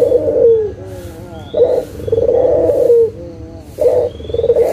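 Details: Local puter (Barbary dove) lure call meant to set quiet doves calling again: a short note followed by a long, low, droning coo, repeated about every two seconds, with a faint hum underneath.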